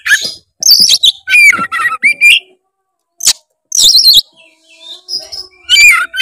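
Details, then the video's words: Oriental magpie-robin (kacer) in full, vigorous gacor song, seeking a rival, used as a lure to set a lazy bird singing: bursts of rich, varied whistles and harsh chattering notes with brief pauses between phrases. "suara kacer gacor cari lawan pancingan kacer malas bunyi seketika gacor"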